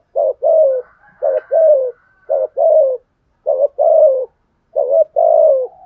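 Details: Decoy spotted dove urging other doves to respond, with five evenly spaced pairs of a short note followed by a longer descending coo, all low and husky.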